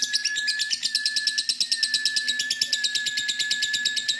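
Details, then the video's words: Female lovebird giving its long ngekek chatter: a fast, steady run of sharp, high chirping pulses, about three each second, unbroken across the whole stretch, over a faint constant tone in the background. "Lovebird betina ngekek panjang"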